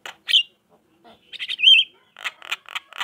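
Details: Javan myna song played to coax reluctant mynas into responding: a loud harsh chirp, a pause, then a run of buzzy chattering notes and a clear whistled slur, ending in rapid scratchy chirps.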